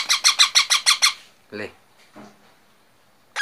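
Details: Young parrot giving seven quick grating squawks in a tight series, followed by brief human voices and silence.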